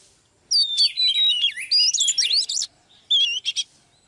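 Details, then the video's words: Female Oriental magpie-robin, live, singing to rouse a male into excited song: a rapid burst of varied sweet whistles and sharp slurred notes for two seconds, a pause, then a shorter whistled phrase. "chòe than mái KÉO TRỐNG LÊN ĐIỆN"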